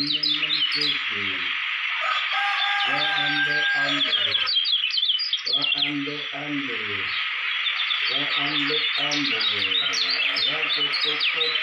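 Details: Lombok white-eye, named as a future song-contest champion, sings a continuous rapid twitter of thin, slurred high notes. Groups of low pulsed harmonic tones recur every second or two beneath it.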